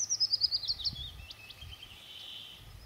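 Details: Woodlark singing in June near Murmansk: a rapid series of high repeated notes for about a second, then fainter thin slurred notes fading out, over a low background rumble.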